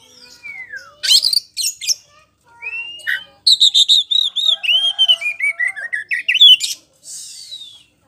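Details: Kacer poci, an Oriental magpie-robin, in loud, continuous lure song to provoke replies: swooping whistles, then a rapid run of clear, repeated, falling whistled notes mixed with sharp buzzy chips.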